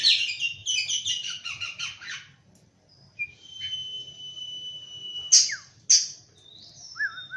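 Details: Morning song of an oriental magpie-robin: a rapid stuttering string of bright notes, then a long steady whistle held for about two seconds, two sharp loud clicks, and a short slurred phrase at the close.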